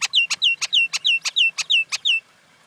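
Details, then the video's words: Common Indian myna repeating a crisp note about nine times in just over two seconds, each a short click joined to a clear downslurred whistle, steady and rhythmic. "Common Indian Myna sound"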